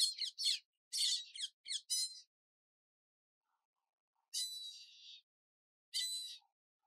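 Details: Indian grey hornbill at Kapra Lake, Hyderabad, eating atop a broken palm and quarrelling with a couple of parrots, giving shrill, harsh squeaking notes, a quick burst of short squeals, then two longer squealing calls after pauses.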